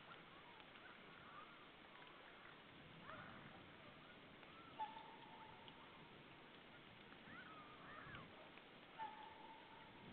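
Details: Distant whooper swans at Saunja on 24 November 2013 at 07:27 in the morning give a few soft trumpeting notes, some held flat and others bending, spaced several seconds apart over a steady wash of outdoor noise.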